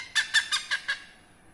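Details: Hornbill, a protected Indonesian bird, heard behind a house giving five loud, harsh barking notes in quick succession, about one every fifth of a second, then silence.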